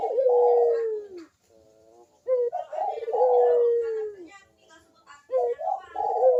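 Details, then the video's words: Cooing Barbary dove, locally puter, played to stimulate birds slow to call. Deep, throaty phrases repeat about every two seconds: a burred onset, then a long mellow note drooping in pitch. Quiet background. "KUK DERUK BURUNG PUTER GACOR MANGGUNG"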